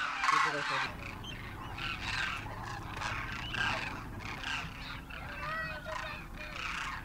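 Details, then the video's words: Wintering Demoiselle Cranes in Rajasthan, India, a huge wild flock of adults and first-year young, calling in flight; after a louder opening burst, many overlapping trumpeting calls form a steady rolling chorus over low rumble. "Demoiselle Cranes darken the sky, trumpeting in flight"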